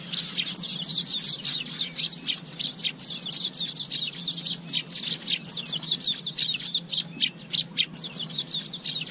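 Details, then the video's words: Asian Golden Weavers keep up a dense, high, buzzy chatter of rapid overlapping chirps and wheezes, running without a break, with a faint low hum underneath. "เสียงนกกระจาบทอง Asian Golden Weaver Sound"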